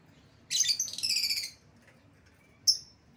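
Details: Lovebird lure sound used to call an escaped lovebird back: a second-long burst of harsh, buzzy high chatter, then a single sharp chirp after a pause.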